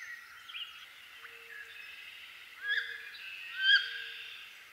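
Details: Wood duck sounds: soft wavering notes, then two louder upslurred squeals about a second apart, with a low faint tone recurring underneath.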